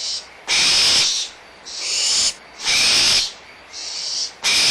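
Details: Young barn owls at Audubon Starr Ranch Sanctuary squabbling over leftover food, excited, with their mother nearby; harsh, breathy hissing screeches in six long bursts within five seconds, loud rasps alternating with slightly softer ones.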